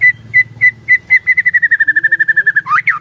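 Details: White-rumped shama song played as a lure to make quiet shamas answer: steady whistled notes at one pitch, first spaced about every third of a second, then speeding into a rapid run of some twenty notes, ending in rising-falling sweeps over a low hum.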